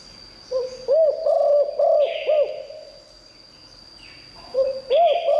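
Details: Spotted dove singing in the lure-song style called liu tan, used to draw in wild doves: low cooing phrases of looped, rising-falling notes, one burst after about a second and another near the end, with short raspy buzzes above.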